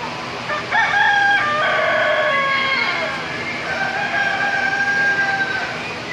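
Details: Rooster crowing among chickens at the Wilson County Fair in Tennessee: long harmonic cock-a-doodle-doo calls, one bird after another, with steady crowd and barn noise in the background.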